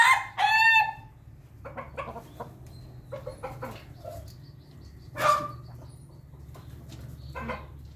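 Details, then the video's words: Pelung chicken calling during the morning feed, opening with two loud, harsh crowing notes, then quiet clucks spread through the clip and another brief loud squawk near the middle, over a low hum. "ayam pelung makan pagi ayam ketawq"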